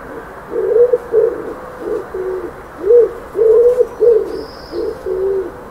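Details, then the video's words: A dove gives low, soft cooing notes in a steady series, about two per second, each a muffled hooting phrase; a faint higher whistle is heard briefly. "Dove Calling Sound"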